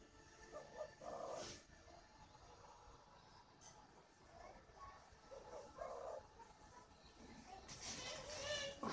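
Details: Spotted dove, a young 'thái trắng giọng thổ' bird whose voice is breaking, from a dove farm in Ba Vì, Hanoi, Vietnam: two short groups of low, soft cooing notes several seconds apart, over steady background noise with a loud hiss at the end.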